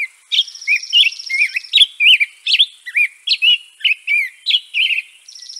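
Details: European robin pouring out a continuous warbling stream of looping, wavering whistled notes, rapid and varied, with a thin, buzzy high trill running over parts of the phrase.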